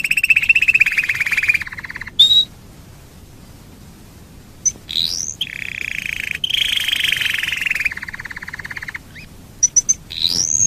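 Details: Domestic canary singing as a lure for other canaries: a rolling mid-pitched trill, a gap of near silence, then sweeping rising whistles and a long sustained warbled roll, ending in brief high notes and an upslurred whistle.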